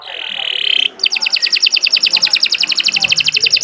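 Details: Canary song opening with a dense buzzy trill that breaks into a long run of fast, evenly repeated rattling notes, about eight per second.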